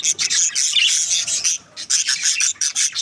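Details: Budgerigar breeding pair calling: a loud grating warble with bright squeaks, a brief pause, then a run of quick rhythmic rasping chirps.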